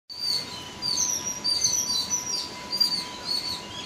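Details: Yellow-billed babblers (Argya affinis) in Sri Lanka, several birds overlapping in a continuous stream of high squeaky chattering notes, with a steady faint hum underneath.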